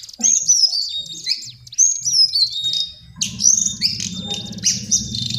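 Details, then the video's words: Lesser shortwing singing: high, thin whistled phrases with quick downslurred notes, a short pause, then a denser, jumbled warbling burst over a low steady hum. "Master Pancingan Burung cingcoang/jongkangan coklat"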